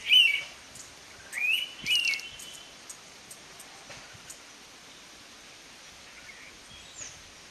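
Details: Indian pitta (Pitta brachyura), call.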